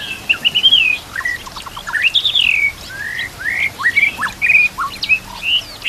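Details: Rich white-rumped shama song meant as a tutor recording, including canary-like fill phrases, over nature sounds and flowing water: loud warbled whistles, swooping slurs and scattered sharp notes across several seconds.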